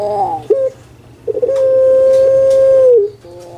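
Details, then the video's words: Pet puter pelung dove from Java, Indonesia, known for its sweet, stable voice. Brief clipped notes lead into one long, even, pure coo lasting about one and a half seconds, ending with a slight downward bend and softer tones. "PUTER PELUNG SUARA MERDU STABIL"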